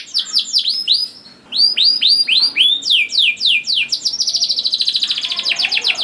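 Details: Canary singing to stimulate young canaries: series of downward-swooping whistled notes repeated several per second, then quicker descending sweeps, finishing with a fast even trill.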